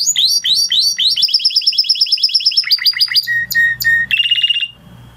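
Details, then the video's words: Blue Spanish Timbrado canary song: rolling repeated slurred notes shifting into a fast even trill, then lower whistled notes, separate clear tones and a closing metallic trill, with faint low hum. "Blue Spanish Timbrado Canary"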